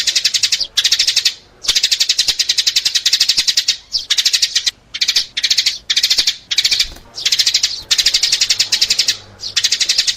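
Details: Sparrows chirping, a sound used as a lure for sparrows: fast, dense runs of sharp, high chirps that continue almost without a break, pausing only briefly.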